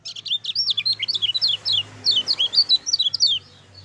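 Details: Lively lemon-bellied white-eye song: a fast, continuous run of high, thin chirps and slurred notes, about six or seven a second, with a low hum underneath.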